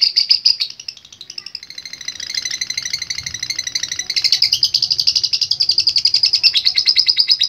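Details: Long lovebird ngekek: a shrill rasping chatter that dips quieter in the middle, then swells back into a dense, rapid run of buzzy chirps, sustained without break until the close.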